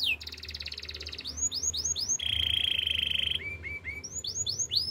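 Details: Canary singing a training song: a bright trilled phrase, a series of upslurred whistles, a long even rattling trill held for over a second, then more rising whistled notes.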